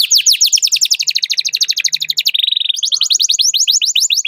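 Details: Canary calling a rival with excited chirps, meant to coax young canaries into singing: long fast series of sharp repeated notes, a short lower buzzy roll midway, then more rapid chirps.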